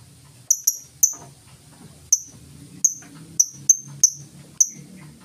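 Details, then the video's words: Lovebird in the ngetik style, full ticking without ngekek chatter, used as a lure to get other lovebirds singing: nine sharp, very high ticks spaced irregularly, some in quick pairs, over a faint low rumbling hum. "Lovebird full ngetik cocok buat pancingan Lovebird mu!!!"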